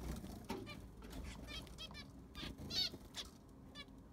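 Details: Zebra finches in a freshly sanded aviary: short nasal beeps and buzzy harmonic calls spaced irregularly, with soft thuds and possible wing flutter.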